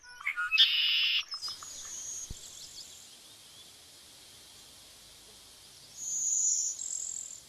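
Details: Bird song in two bursts: a loud buzzy trill near the start, then silence, then high thin whistled notes returning near the end.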